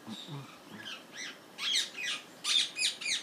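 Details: Parrots in a garden in London, UK; loud, harsh squawks in short bursts, several rising and falling strokes in quick succession, with faint low sounds at the start.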